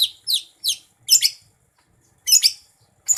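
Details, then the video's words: Greater green leafbird (cucak ijo), a kept contest songbird, singing: a few quick falling whistles, then a pause, then harsher, denser chattering bursts. "Gacor,, Kicau Burung Cucak Ijo"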